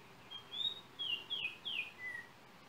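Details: Yellow oriole song from Trinidad, recorded on a cell phone: five clear whistled notes, slurred and sliding downward, spaced about half a second apart over a soft background hiss.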